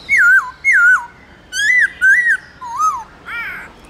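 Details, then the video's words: Forest-style song of a caged black-throated laughingthrush: loud, clear whistled phrases, each sliding down or wavering, given about every half second, ending in a rougher note. "khướu bạc má hót âm to rõ chuẩn rừng núi"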